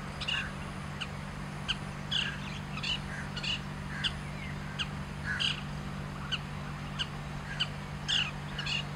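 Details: Long-tailed Shrike perched on a branch in grassland, watched from a car, singing: harsh, grating calls repeated about every half second to second over a steady low mechanical hum.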